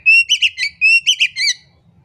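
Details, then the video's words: Oriental magpie-robin song meant to prompt a quiet bird to sing: a steady whistled note followed by quick buzzy chips, the same phrase given twice in about two seconds, clean with no other sounds. "pancingan kacer di jamin ampuh kacer pendiam malas bunyi cepat gacor"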